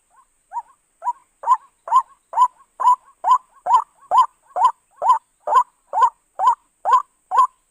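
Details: White-breasted waterhen call used as a lure for bird trapping: a steady series of about fifteen mid-pitched hollow notes, roughly two per second, building from soft to loud and staying very regular, quiet background.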